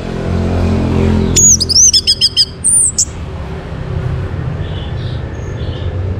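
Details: Orange-headed thrush (Geokichla citrina), a caged bird in Bali, singing to prompt other birds to sing: a short burst of rapid whistled and trilled notes over a steady low rumble of background noise.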